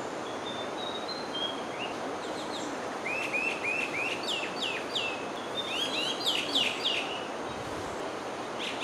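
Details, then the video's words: A male common myna sings a varied run of sharp whistled notes and clicks, some quickly repeated in short bursts, over a steady background hiss. "singing ♂️ common myna"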